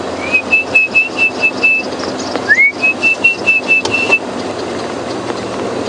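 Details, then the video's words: At Djuma Game Reserve on a morning safari drive, 12 March 2016, an Orange-breasted Bushshrike calls as the sun comes out: two runs of about seven quick, clear, level whistled hoots over a low engine rumble. "Always, when the sun comes out, you hear that bird calling there, the orange-breasted bushshrike."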